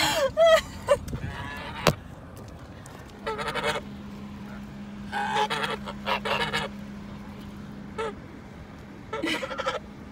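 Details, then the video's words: Swan goose on the attack: a few harsh honks at the start, then bursts of loud, hoarse, grating honks separated by pauses of a second or two, over a low steady hum. "Swan Goose Attack"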